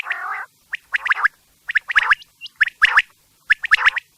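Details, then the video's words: Quail calling, a sound meant for use at night: a short rough burst, then quick groups of two to four sharp chirping notes with clicky edges, repeated roughly every second, in a quiet background. "Quails sound specially for night | Raat k liye zabrdast batair ki awaz | رات کے لیے زبردست آواز"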